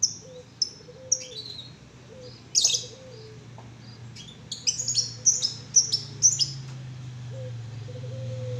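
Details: A 1.5-month-old canary chick just learning to sing: scattered short, high chirps and thin twittering notes in uneven bursts, louder clustered chirps toward the end, over a steady low hum.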